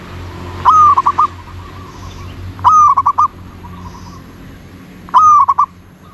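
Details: Zebra dove singing three clear phrases about two seconds apart, each a sharp upslurred coo followed by rapid staccato notes, with faint distant cooing in between.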